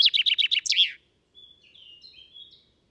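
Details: Common chaffinch song from Britain, captured with a parabolic stereo microphone: the closing stretch of a rapid falling trill ending in a flourish, followed by faint, thin, high whistles from another bird.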